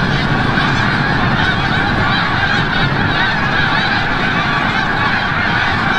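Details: A large flock of snow geese returning from the bay at sunset at Forsythe National Wildlife Refuge, Oceanville, New Jersey, in a dense, unbroken chorus of high, nasal honks and yelps, many birds calling at once without pause.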